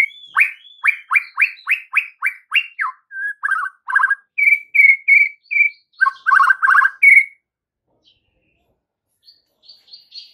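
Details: White-rumped shama lure song for the afternoon, aimed at getting fledglings and juvenile shamas to sing back: a fast run of about a dozen steeply falling whistled notes, then flat whistles and harsh chattering before fading to near silence.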